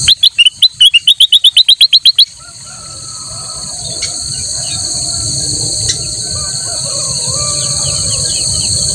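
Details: Loud, rapid chirping phrase from a black-crested bulbul, used as a master song for teaching other birds. About a dozen bright notes come in quick succession, then give way to a continuous high insect drone.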